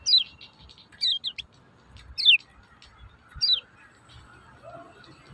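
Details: Lemon-bellied white-eye call played to coax quiet caged birds into song: four bright, high chirps, each sliding downward, roughly one per second, with a softer double note after the second, over low rumbling background.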